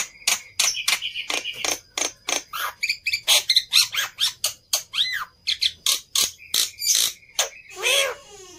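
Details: Black-winged myna singing, played to stimulate birds into song. Dense scratchy clicks and squawks come in rapid bursts, with occasional arched whistled notes and a final wavering squeal.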